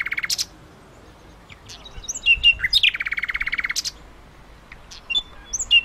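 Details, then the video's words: Thrush nightingale, the Russian and eastern European nightingale, singing: sharp clicks and high whistled notes, then a long rapid rattling series of about twenty dry pulses, closing with scattered piercing high notes. "Russian Nightingale"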